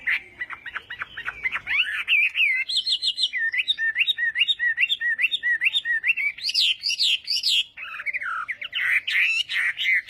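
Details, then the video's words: Chinese hwamei singing in a contest during morning voice training: varied rich phrases of rapid whistled notes, repeated hooked figures, high sharp bursts and rolling slurred whistles, with a faint low rumble at the start. "Hoạ Mi Hót Đấu /hoạ mi hót sáng luyện giọng"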